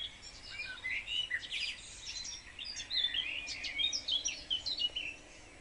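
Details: House sparrows in a wildlife garden in spring, active in fine weather and competing for the best nest boxes, chirp busily and overlap in a steady, lively chatter of bright, sharp notes over a soft background hiss.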